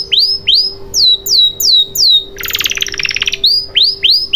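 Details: Canary song played as a lure to prompt silent canaries to sing: a series of downward-swooping whistles, a dense rattling buzzy roll for about a second, then more swooping whistles.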